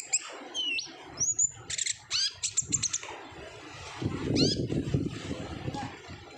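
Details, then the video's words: Olive-backed sunbird song in the 'ngobra' style, played to prompt untrained birds: thin upslurred whistles and high chirps in the first half, then a rumbling noise over fainter notes. "PANCINGAN KONIN GACOR NGOBRA , KONIN BAHAN PASTI AKAN RAJIN BUNYI"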